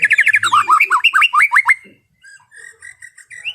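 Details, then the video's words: Relaxing afternoon song of a white-rumped shama: a quick run of loud zigzag whistled notes dropping and rising, then a pause and soft repeated whistles at steady pitch. "SUARA MURAI BATU NGEPLONG SANTAI SORE HARI UNTUK RELAKSASI BURUNG OVER BIRAHI"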